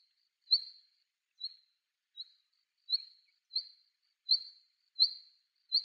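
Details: A female Black redstart, a vagrant on Yonaguni Island, Japan, calling: thin, high whistled notes, each short and sliding slightly, repeated irregularly about once a second against a quiet background.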